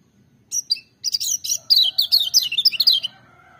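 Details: Two sharp opening chirps, then a lively two-second cascade of high, rapidly rising and falling notes: vigorous, nyaring song of a lemon-bellied white-eye over faint low background hum.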